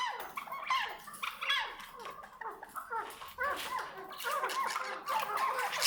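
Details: A pure Maskati chukar partridge gives rapid, overlapping clucking and chattering notes, several per second in uneven bursts, mid to high pitched.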